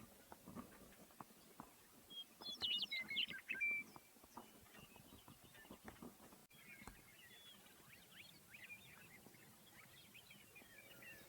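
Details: In inland California, a Western Meadowlark sings one bright, fluty phrase that tumbles downward and ends in a gurgle. Faint scattered chirps and light outdoor noise follow.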